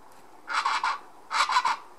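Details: Chachalaca, identified as Plain but labelled Yucatecan, giving two loud, raucous phrases, each of three harsh grating syllables, about a second apart, with little else heard.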